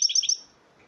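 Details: A hybrid of a male goldfinch and a female canary gives a quick burst of three high, bright twittering notes within a third of a second, then falls silent.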